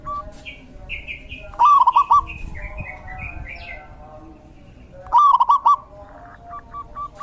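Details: Zebra dove singing in the rainy season: two loud, stuttering trilled phrases about three seconds apart, each followed by soft clipped notes, with other small birds chirping higher in the background.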